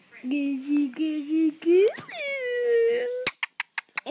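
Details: A young, hand-reared female pet musk lorikeet that mimics laughter makes low, voice-like chuckling notes, a quick rising squeal and a long held tone, then ends with a fast run of sharp clicks.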